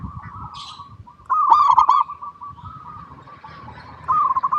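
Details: Local zebra dove song used as a lure for other zebra doves. Soft steady cooing breaks into a loud rolling trill, then settles before another loud burst at the end; a brief high chirp is heard early.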